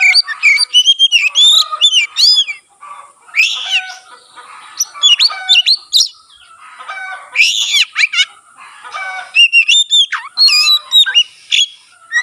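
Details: Magpie-robin singing energetically with its tail opened, a song said to prompt other magpie-robins to sing; rapid bursts of bright whistles, sweeping slurs and harsh chattering notes pour out almost without pause.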